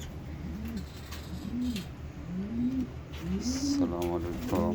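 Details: Pet pigeons kept with lovebirds, sheltering from the heat on a 32-degree day while being given seed; soft low rising-falling coos repeat about once a second, with a brief chirp and faint voices near the end.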